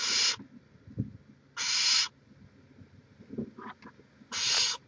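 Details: Three long, loud breathy hisses roughly every 1.7 seconds from a live-cam barn owl nest in Chula Vista, California, 18 May 2017, with faint taps and a brief softer squeak between them.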